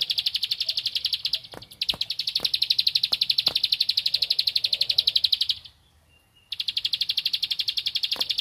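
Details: Bar-winged prinia (ciblek padi) in energetic song directed at a rival: long bursts of quick, uniform high-pitched chips, a brief silence of about a second, then the rapid chipping resumes; occasional sharp clicks.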